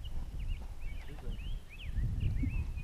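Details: A rose-breasted grosbeak, heard during a canopy tour, sings faint, sweet, warbled phrases of slurred whistles, rising and falling, over a steady low rumble of wind and footsteps.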